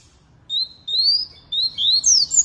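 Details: Canary song of drawn-out rising whistles that speed up into sharper, higher swooping notes near the end, over soft background noise.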